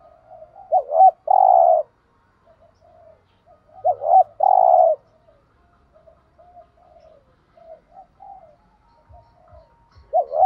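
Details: Spotted dove giving thúc gù cooing meant to provoke other doves to call: two bursts of short rising coos, each ending in a long, loud, steady coo, with soft murmuring coos between and faint low ticks near the end.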